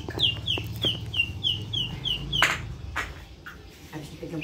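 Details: White-rumped shama singing in a 'pastol' style used as tutor song for young birds: a run of eight clear, high, down-slurred whistled notes at an even pace, followed by scattered sharp clicks, over a steady low hum.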